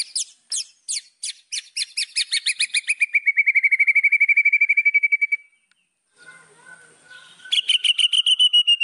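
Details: Song of a white-rumped shama, a training recording meant to rouse rival birds: quickening repeated notes that merge into a long buzzy trill, a pause, then another rapid, sharp series.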